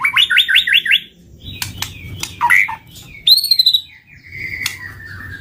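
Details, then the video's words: White-rumped shama song for luring birds: quick rattled series of rising notes, sharp clicks and a short warble, then a high clear descending whistle and a long flat whistle, with low rumbling background. "Suara pikat murai batu"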